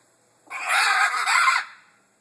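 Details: A female pet blue-and-gold macaw making one of her occasional strange noises: one harsh, raspy squawk lasting about a second, with a brief dip in the middle. Nothing else is heard.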